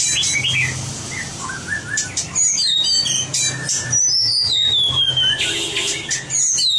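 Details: White-rumped shama being trained for competition singing, with varied whistled phrases, high thin slurs and a long descending whistle, mixed with fast chirps over steady background noise.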